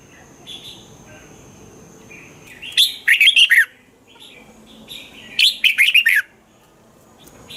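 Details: Red-whiskered bulbul song, Thai recording for exciting caged birds: soft preliminary notes, then two loud bubbling phrases of five quick descending whistles, roughly two and a half seconds apart.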